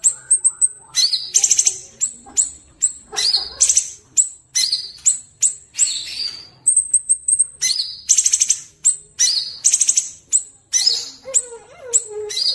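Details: Sooty-headed bulbul song used as a vocal tutor: sharp high chips repeated in quick runs, broken by swooping whistled notes and bursts of fast buzzy trills, continuing steadily without pause.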